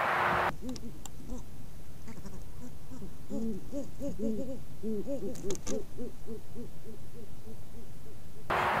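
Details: A courting Great Horned Owl pair, male and female, at a preschool in Waukesha, Wisconsin, hoot together in the autumn courting season: deep, soft hoots in quick overlapping series over steady background hiss with a few clicks.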